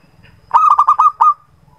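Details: Zebra dove singing as a lure for birds that rarely sing: one quick burst of five or six clipped, purring coo notes running together, ending in a trailing drawn note, over a faint low background rumble.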